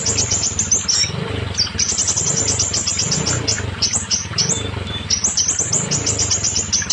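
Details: Scarlet minivet song for young, silent or molting birds: almost unbroken strings of shrill, rapid high chirps with a few upslurred notes, over a rhythmic low throbbing hum.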